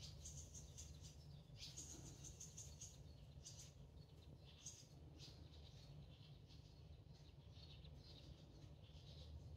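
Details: Barn swallow fledgling that left a handmade nest that morning, found in a garden: faint, short, high chirps in loose bursts every second or so, over a steady low rumbling background.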